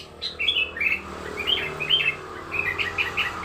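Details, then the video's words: Sooty-headed bulbul singing, a lure recording meant for training young bulbuls; a steady run of short bubbly warbled notes, about one per second, over a faint low hum. "Suara Pikat Burung Kutilang Gacor"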